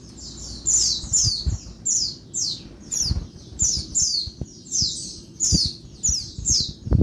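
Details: Daytime calling of a female Oriental white-eye, meant to lure quiet males into singing: regular bursts of high downslurred chirps about every half second to second, with scattered low clicks and thumps.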